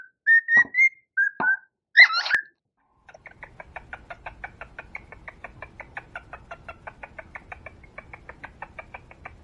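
A cockatiel whistles a few bright, slurred notes to serenade a mate, then breaks into rapid soft clicking.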